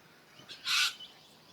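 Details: A Red Wattlebird at a water station in Gluepot Reserve, South Australia, gives one harsh, grating rasp about a third of a second long, like a rusty gate opening, with a couple of faint softer notes on either side.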